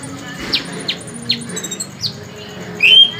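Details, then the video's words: Tame, brown-breasted kolibri ninja sunbird singing actively: a series of short, sharp, high whistled notes sliding steeply downward about every half second, ending in a louder buzzy high trill, with faint low background noise. "Kolibri ninja dada coklat jinak gacor"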